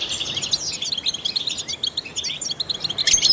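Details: Brief passage of trained goldfinch song: quick, tinkling high notes and short slurred chirps run together in a lively twitter, ending in a louder buzzy burst.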